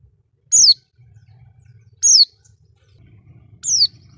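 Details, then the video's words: High, thin descending tseee calls of an Oriental white-eye, three notes spaced roughly one and a half seconds apart, used as a lure for other birds, with a quiet low rumble beneath. "pancingan pleci AMPUH ‼️di jamin langsung NYAUT"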